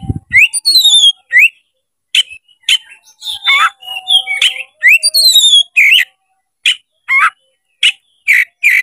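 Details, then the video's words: Oriental magpie-robin fanning its tail and singing to provoke a fight: high descending whistle series, rich warbles and slurred notes, then regularly spaced sharp chip notes toward the end. "MENCARI LAWAN TARUNG KACER CEPAT GACOR DALAM HITUNGAN MENIT DIPANCING KACER BUKA EKOR INI"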